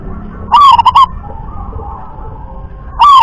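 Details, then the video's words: Local wild zebra dove performing rhythm-class song: one full phrase of a rising coo followed by three quick clipped beats. The next phrase begins about 2.5 seconds later, with faint other bird sounds between. "jenis suara perkutut lokal kelas irama"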